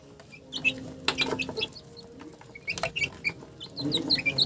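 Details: Chickens giving brief, bright chirps and clucks in uneven runs, with a low sustained tone at the start and a denser burst of calls near the end.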